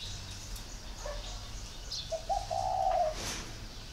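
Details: Spotted dove in northern Vietnam giving a single low coo phrase, a soft note followed by a longer held throaty coo, against steady low hum.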